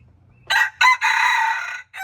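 A red junglefowl crows: two brief harsh notes, then a longer sustained, raspy note cut off abruptly, and the next crow is just beginning.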